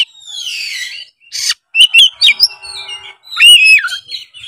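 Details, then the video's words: White-rumped shama in competition form, opening with a descending whistled trill, then a harsh burst, quick chips and a final loud looping whistled phrase. "suara kacer gacor full narung"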